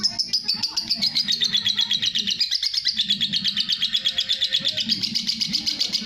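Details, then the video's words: Lovebird kept as a masteran (tutor bird) giving a long ngekek chatter: a steady rapid series of high, buzzy notes, about two to three a second, running without pause, with faint low cooing beneath. "Burung love bird masteran ngekek panjang"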